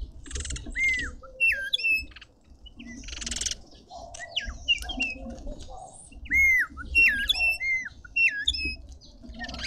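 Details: At a suburban garden feeder in Pretoria, South Africa, feeding red-winged starlings give loud, clear whistles that dip and rise, in several bursts with short pauses. Bursts of scratchy noise sound between them.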